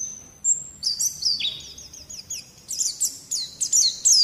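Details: Training song for prompting young white-eyes to sing, opening with a thin, level high whistle, then a quick run of falling, sliding twitters that builds into a dense, excited burst of high chirps near the end.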